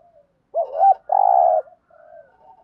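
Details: Spotted dove kept as a caged decoy to attract wild doves, cooing in thúc gù style: a wavering double-humped coo, then a long buzzy sustained coo, with faint trailing murmurs afterward.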